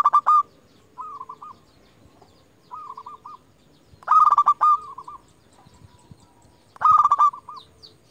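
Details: Local zebra dove, a strong-voiced lure bird, calling to provoke and attract rival doves. Loud rolled coo phrases recur every three seconds or so, alternating with softer short coo series from a second dove.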